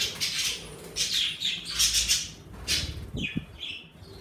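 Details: Pet budgerigars in an indoor bird room, lively as the weather warms, giving scratchy broadband chirps and short squawks in uneven bursts, with a couple of low thumps near the end.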